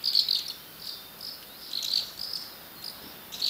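Asian house martin giving short, dry, high chirrups in irregular bursts, about one every half second to second, over a faint background hiss.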